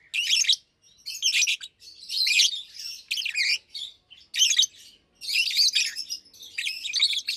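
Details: Two adult Fischer's lovebirds, almost two years old, one pastel green and one blue, chirp and sing by day in shrill, scratchy bursts of high twittering, roughly one burst a second, with short pauses.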